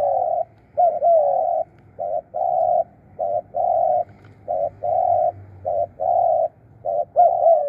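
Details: Decoy spotted dove in a 'krun' calling style, delivering a steady run of deep, hollow coos. Short and drawn-out notes alternate with brief gaps, close to one per second, over a faint low hum.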